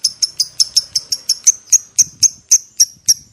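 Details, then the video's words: Lovebird ngekek, used as a lure to make other lovebirds answer with long chatter: a fast run of bright, high chips, about four per second, slowing slightly toward the end. "PANCINGAN LOVE BIRD PALING GACOR - Bikin semua jenis love bird langsung emosi nyaut NGEKEK PANJANG"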